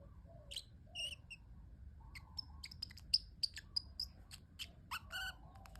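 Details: Pet parrotlet making cute sounds, a scatter of thin high chirps and short clicks, some paired, over soft low murmuring notes.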